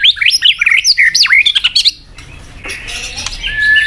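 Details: Lure song from a white-rumped shama meant to spur a weak murai: two seconds of fast zigzagging whistled notes, then quieter background with a faint steady tone.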